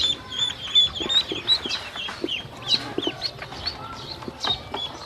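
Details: Hungry baby ducklings being taken to eat feed and drink water; a chorus of thin, high peeps tumbling over one another, roughly three per second, some rising or falling in pitch, with faint low rustling beneath.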